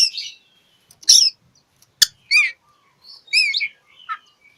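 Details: Oriental magpie-robin singing to seek a rival, offered as a lure to prompt silent birds: scattered sweet whistled phrases and warbles mixed with sharp, broad clicking notes and brief pauses.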